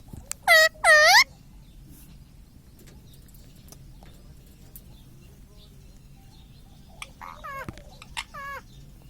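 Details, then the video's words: Pet ring-necked parakeet (mitthu) at home talking: two loud, wavering, speech-like syllables at the start, then quiet, followed late by a few softer wavy mimicked phrases, over a low hum. "Mummy vala parrot ||me toto me tota parrot singing||मिट्ठू मिट्टू|| मम्मी||"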